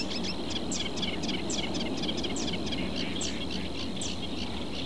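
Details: Rapid, scratchy chattering from a reed warbler in a reed bed in southern Portugal, short high notes tumbling out several per second over a constant thin drone and background rumble.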